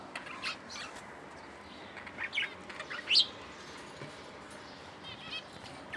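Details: Budgerigar (Melopsittacus undulatus), chirps.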